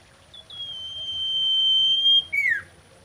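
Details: Common iora song tied to mating: one sustained, even whistle of nearly two seconds, then an abrupt slurred note swooping downward.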